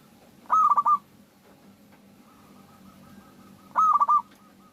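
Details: Local zebra dove song as a lure for other doves: two loud, rapid, bubbling coo phrases about three seconds apart, with a faint repeated distant cooing in between.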